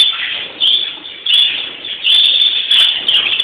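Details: Greenfinches (Chloris chloris) sing on Palm Sunday: a rapid, high, twittering warble. Short scratchy clicks break in between the phrases.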